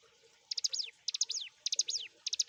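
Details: {'text': 'Active ciblek gunung prinia used to train songbirds: after a short pause, three phrases of quick high stuttered notes each trailing into a long descending whistle.'}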